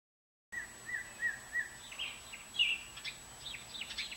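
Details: Bluebird brood at the nest, five young growing from hatchlings to fledglings in June and July 2019: a string of soft, thin, level peeps at a steady pitch, then higher, brief chirps scattered over quiet background hiss.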